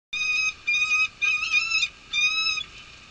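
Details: Peregrine falcon at a nest with at least one egg in Nottingham, UK, during unusual March snowfall as the male relieves the female: four drawn-out, nasal, strongly harmonic wailing calls, each about half a second long.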